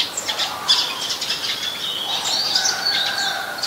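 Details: Eurasian tree sparrows chirping at Ubon Ratchathani, Thailand, on 10 May 2020, where the species is a very common resident; sharp twittering notes overlap continuously, with brief fluttery sounds and a busy natural backdrop.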